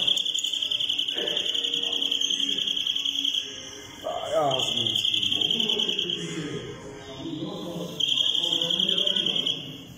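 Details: A European greenfinch from İzmit, Turkey, sings long, fast, rolling trills of even pitch broken by short pauses, with lower murmuring sounds, possibly voices, underneath.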